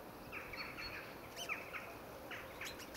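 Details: Captive common redshanks in an aviary give short, high piping notes in loose scattered bursts over a steady background hiss with a few fainter chirps.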